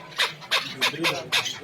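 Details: Hybrid chukar partridge at a Dushanbe bazaar (Zarafshon), giving four harsh, downward-sweeping chuck notes spaced roughly a third of a second apart, over a low murmur of market noise.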